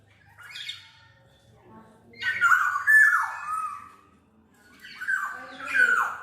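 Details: Black-naped oriole song meant for training and luring: soft opening notes, then loud harsh down-slurred calls mixed with clear whistles in two strong bursts, a low hum in the background.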